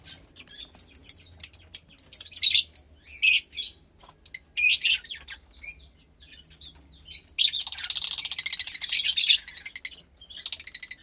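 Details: Captive Fischer's lovebird chick, roughly 15 days old, from lutino and pastel blue parents: quick high squeaky chirps at first, then a long continuous rasping, churring burst of calls.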